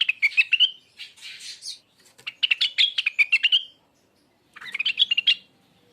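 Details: Rengganis song in quick chattering bursts: clusters of high, sharp chirps and short rising whistled notes, broken by brief buzzy phrases and pauses, ending with a short bright twitter.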